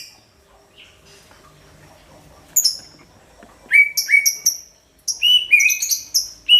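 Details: Greater green leafbird singing loudly, offered as a lure for every kind of bird; quiet start, then clusters of high piercing chips and short falling whistles in quick uneven bursts.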